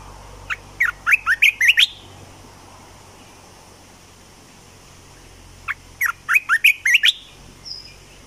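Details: Decoy Olive-winged bulbul, caged for bird trapping, sings two short bursts about five seconds apart, each a fast run of sharp, rising, bubbling notes climbing toward the end.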